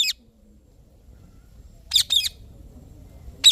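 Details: Indian ringneck parrot giving short, harsh screeching chirps: a single clipped call at the start, a quick rasping pair near the middle, and another call cut off at the end, with quiet low rumble between.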